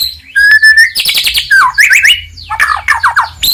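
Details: Singing white-rumped shama, played to provoke rivals; a clear held whistle followed by busy trills, swooping notes and fast descending chirp series.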